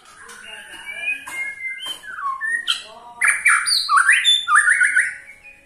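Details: White-rumped shama 'ketrekan' used to spur other shamas into song, soft scattered whistles building to a loud series of harsh rising and buzzy notes in the second half.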